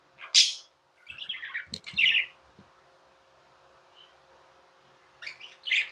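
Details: Pet budgerigars chirping in a quiet indoor setting: a sharp high chirp, then a run of scratchy warbled notes, a long near-silent gap, and two more bright chirps near the end.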